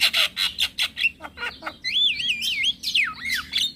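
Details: Male Javan myna calling to lure mynas and starlings into answering: several loud harsh squawks, then a long, wobbling, looping whistle that rises and falls, ending in a sweeping downward slur.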